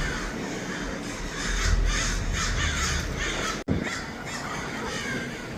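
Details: A flock of crows in Los Angeles keeps up a busy chorus of coarse, overlapping caws with a brief cutout midway, over a deep rumbling background.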